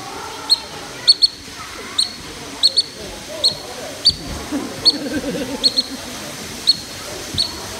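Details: Black-necked stilt at a wetland exhibit, Nasu Animal Kingdom, Japan, 13 August 2020, calling while leading toward the jaguar area: short, sharp, high yelping notes, often doubled, repeated irregularly about every half to one second over a low murmur.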